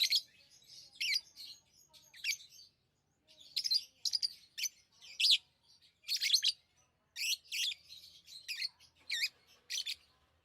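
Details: Lovebirds chirping in quick bursts of shrill, high-pitched twittering notes, grouped in clusters with short silent gaps between them, steady throughout with no other clear sounds.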